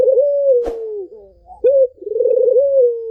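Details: Barbary dove cooing to draw song from a silent bird: a long smooth falling coo, a faint click, then a short rising note and a rolling tremulous coo that ends level.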